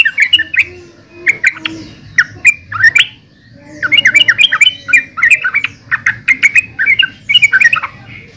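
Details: Lively chattering song of a yellow-vented bulbul: clusters of quick, liquid, up-and-down notes in bursts separated by short pauses.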